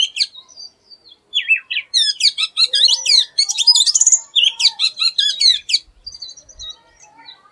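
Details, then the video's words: Oriental magpie-robin (Bengali doyel) delivering an unusual song: a few slurred whistles, then a fast, steady run of sharp, clicking, chattering high notes for about four seconds, ending in soft scattered whistles. "Oriental Magpie Robin Singing an Unusual Song"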